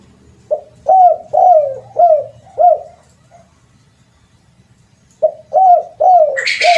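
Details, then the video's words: Spotted dove lure call: four loud, hooked coos in quick series, a two-second pause, then four more coos, ending with a brief burst of noise. "Pancingan Suara Burung TERKUKUR Ampuh"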